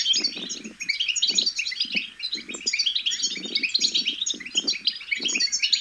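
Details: Goldfinch chicks' babbling, used to motivate male goldfinches to sing. A steady, high jumble of chirps and twitters runs throughout, over frequent low, dull bursts of sound every half second or so.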